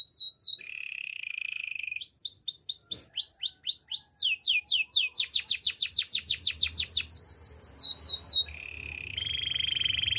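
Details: Canary song of changing phrases: a steady low buzzy trill, series of rising sweeping whistles, a quick rhythmic run of sharp notes about twelve per second, then buzzy trills again; clean, with slight low hum.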